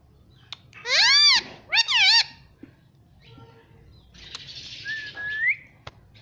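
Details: Talking pet parrot: two loud, rich, arching syllables, then a quiet gap and a rising whistled glide over a soft hiss.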